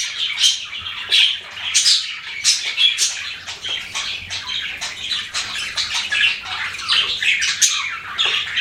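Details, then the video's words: Budgerigars chirp and squawk in uneven bursts of scratchy, high notes with brief whistles mixed in, a lively flock chatter indoors. "BUDGIES CHIRPING SOUND"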